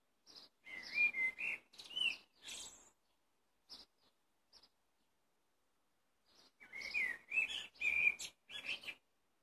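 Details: Blackbird song in two bursts separated by near silence: warbled fluty whistles mixed with scratchy high twittering notes, each burst a lively jumble of quick syllables.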